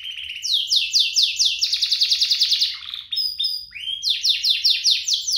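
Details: Canary song for training or prompting canaries to sing; quick series of downward-sweeping notes about two or three per second, shifting into a rolling trill, brief whistles, then more falling notes.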